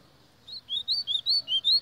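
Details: White-throated seedeater singing: a quick run of clear whistled notes alternating between higher and lower pitches, about seven notes in under two seconds, with no other clear sounds.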